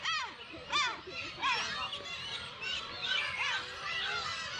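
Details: Kabushima island colony of Black-tailed gulls, Hachinohe, Japan, 10 June with chicks; short sharp down-slurred yelps repeated every second or so stand out above a busy background of gull cries.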